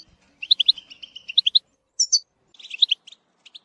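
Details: European goldfinch song used to tutor young birds, with batbata trills: bursts of bright, high twittering notes and a pair of thin upper whistles, separated by short silences.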